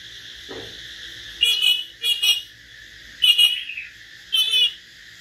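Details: Common hill myna singing in a solo exchange with a white-rumped shama: four loud, harsh, broadband bursts of about a quarter second each, spaced irregularly, over a steady background hiss.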